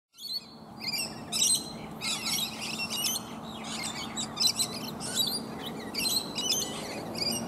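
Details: Many rainbow lorikeets feed together on native bottlebrush flowers high in a tree, with one other bird present. Harsh, screechy chattering comes in dense, overlapping bursts throughout, over a steady low background hum.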